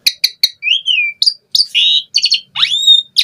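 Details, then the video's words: Asian pied starling, a caged songbird kept as a gacor singer with full 'isian' phrases, delivering a varied song of sharp clicks, a rising-falling slurred whistle, buzzy rasps and a stacked harsh note, in quick succession. "Suara Jalak Suren Gacor Full Isian ANTI MACET Saat Musim Hujan/Kemarau Pancingan TERAPI Burung Jalak"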